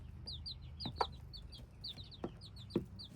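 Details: Hybrid chicks cheep in a busy chorus of clear, high, falling peeps repeated rapidly. Several sharp taps and knocks stand out above a low background drone.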